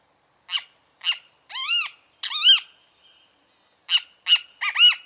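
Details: Loud bem-te-vi phrases from a great kiskadee: short buzzy notes lead into rising-and-falling arched, harmonic notes in two bursts separated by a pause. The background is otherwise quiet.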